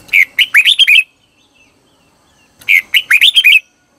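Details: Red-whiskered bulbul used as a decoy to call wild bulbuls: two crisp bursts of fast, rising and falling whistles about a second long, separated by clean silence.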